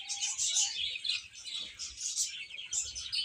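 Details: Baby chickens peeping while they eat and play. Many high, piercing chirps overlap in a steady stream, with a few lower short notes near the start.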